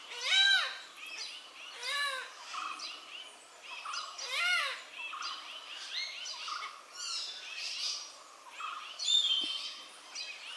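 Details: Malabar grey hornbills calling repeatedly in loud, harsh, laughing cackles, several bursts every second or two that overlap and trade off, with quieter chattering between them.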